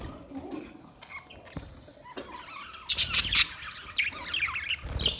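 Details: Green parrot calls: after about three seconds of quiet low background, a burst of loud, harsh, high squawks and chirps, then scattered softer chatter to the end.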